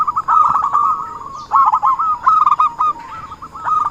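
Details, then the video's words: Zebra dove, an actively singing bird used as a trapping lure, gives rapid staccato cooing trills in bursts of quick repeated notes with short pauses between phrases. "suara burung perkutut buat pancingan || suara pikat perkutut"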